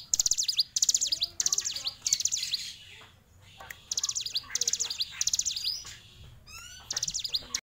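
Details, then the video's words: Fighter hill prinia singing bursts of high, buzzy zigzag phrases, broken by a pause around the middle; another bird adds softer rising whistles in the background near the end. "CIGUN Ciblek Gunung Fighter"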